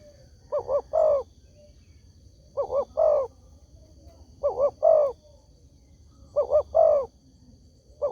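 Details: Spotted dove lure call used to make other doves answer: four full phrases and the start of a fifth, each a short doubled coo leading into a longer vibrating coo, about every two seconds.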